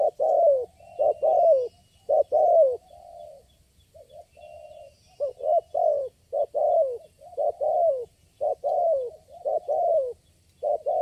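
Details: Spotted dove calling back to a lure bird at a trapping spot, the single responsive caller there; a long run of low coo phrases, short hoots and descending coos, with a softer pause midway.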